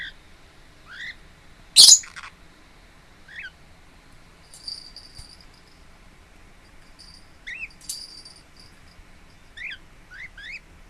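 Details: Relaxed pet lineolated parakeet at home, 26 April 2017: scattered soft, rising chirps, often in pairs, broken by one sharp loud clack near the start and faint high hissing bursts.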